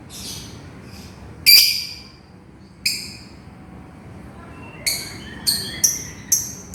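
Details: Calling lovebird seeking its companion: a loud harsh shriek, a single piercing chirp after a pause, then a quick run of sharp high calls near the end.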